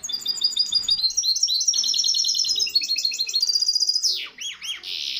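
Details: A misto hybrid canary sings continuously for young birds to learn, stringing together high repeated chirps and rolling trills that shift pitch in steps, ending in buzzy swooping downward sweeps.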